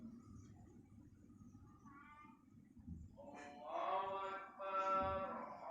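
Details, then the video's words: Pelung chicken, a breed whose crow grows longer as the bird matures, giving a short harmonic crow that rises in volume over the last two seconds, with a faint earlier call and low background rumble. "PERKEMBANGAN SUARA AYAM PELUNG"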